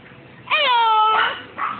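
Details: Parrot at a pet store mimicking. One drawn-out, harmonic, meow-like wail lasts under a second, rising slightly then easing down, followed by a short softer note.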